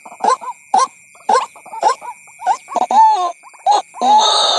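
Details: ['Lure call of a white-breasted waterhen for drawing in waterhens: loud throaty croaks spaced about half a second apart, with a short whistled note and a burst of hiss near the end.']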